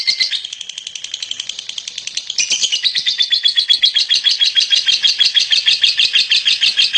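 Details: Lovebird called a champion gives an unbroken rapid chatter. Thin, high pulses start slightly softer, then grow louder and denser after a brief break. The buzzy, trill-like stream runs at a quick, fairly even pace throughout.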